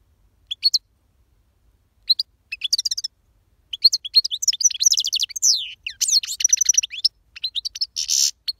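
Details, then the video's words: Singing parva goldfinch: scattered single chirps at first, building into fast, liquid twittering with rattling trills and a harsh buzzy note near the end, all clean against a quiet background. "Chardonneret parva chante / Jilguero cantando fuerte / Goldfinch singing powerful the best chirping"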